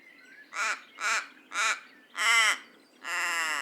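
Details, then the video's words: Raven calling five times in quick succession, harsh nasal caws roughly half a second apart, the last two longer and more drawn out. "Raven Sound"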